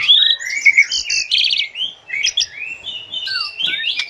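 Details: Asian pied starling song meant to train captive birds: bright rising and falling whistles, a buzzy trill, then wavering slurred phrases and squeaky notes delivered without a break.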